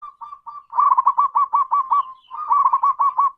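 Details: Local zebra dove with a big voice, calling: soft low coos, then two rapid runs of about eight short, rolling coo notes each, separated by a brief pause.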